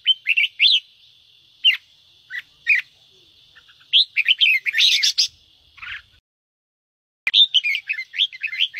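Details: Red-whiskered bulbul 'ché' song for stimulating other birds to sing: spaced sharp chirps, a harsh buzzy chatter burst, a short gap, then a quick run of bright warbled notes.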